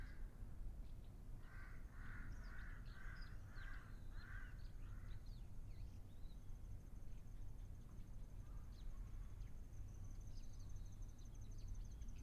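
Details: Ryukyu ruddy kingfisher on Ishigaki Island, Okinawa, back again this year, with its first call heard on 31 March: a series of six mellow, evenly spaced notes, then quiet, over steady hiss and a thin high whine.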